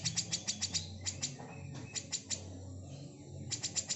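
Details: A female grey-cheeked bulbul's besetan, recorded as training material for magpie-robins, comes as a run of dry, clicking rasps repeated several times a second, slowing and spacing out midway before a quick rattling series resumes.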